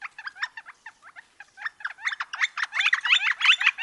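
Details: Northern flicker in Wisconsin making irregular, rough, squeaky chattering notes in uneven bursts that grow louder and denser toward the end.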